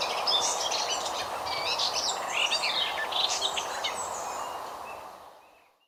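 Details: Garden warbler, one bird in continuous song: a fast, rambling warble of mixed fluty and scratchy notes with little repetition, running about four seconds before fading out, amid constant low hiss.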